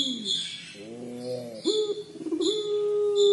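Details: Collared dove, puter pelung style, in its crying call: a soft sliding note and a quavering phrase, followed by a steady sustained low coo, with repeated faint high chirps in the background.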